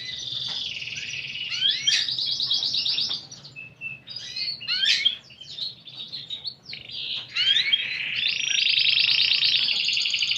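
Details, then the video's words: Canary song with unique 'cengkok' phrasing: rolling high trills alternate with buzzy rattles, a few pure whistled notes and sharp downslurred chirps, closing with a long rapid trill. "Burung Kenari Gacor Cengkok Unik"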